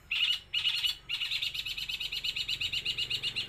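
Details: Eight-month-old long-tailed shrike, East Java's Jember, voicing copied sparrow, kuntilanak and tengkek buto phrases: two loud buzzy bursts, then a steady run of rapid, evenly spaced chattering notes, about six per second.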